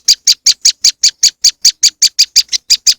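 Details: Moss wren bird-lure sound: a quick series of clipped, bright, high-pitched chirps, evenly repeated roughly five or six per second.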